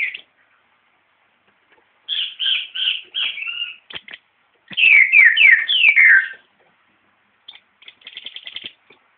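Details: Green-headed tanager singing: high buzzy chips in short phrases, then a fast cascade of loud, sliding, downslurred notes, a pause, and a thin rattling trill at the end.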